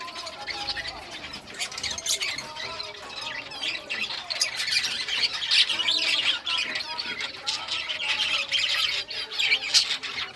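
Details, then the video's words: Several rare-coloured budgerigars chirping during play with toys, June 18, 2023; a dense, even wash of high warbling chatter and fast clicks throughout. "Budgies all rare colors playing and chirping sounds playing with toys"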